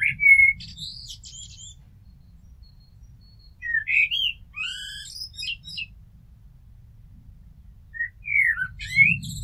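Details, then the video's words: Turdus merula singing three phrases: a clear whistle, then a mellow warbled run, then squeaky high twitters, against faint low background rumble. "Amsel Gesang - Merle Noir Chant - Blackbird Song - Mirlo Cantando"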